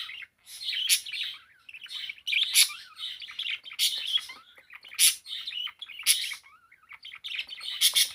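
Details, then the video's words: A pet parakeet sings nonstop, a rambling mix of chirps, clicks and warbled notes, with harsh loud rasps recurring about every one to one and a half seconds. "#parakeet #songbird Blue singing away :)"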